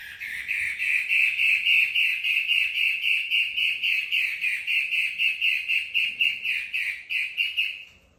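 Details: Female long-tailed shrike singing energetically: a long run of rapid, scratchy, pulsing notes at a steady pitch, roughly four per second, swelling at the start and tapering off at the end.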